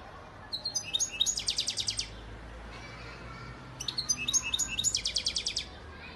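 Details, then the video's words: Two song bursts from a goldfinch father bird of Antalya, Turkey, 2018: jingling high notes running into a rapid, even, buzzing rattle, separated by a short silence. "Saka kuşu ötüm"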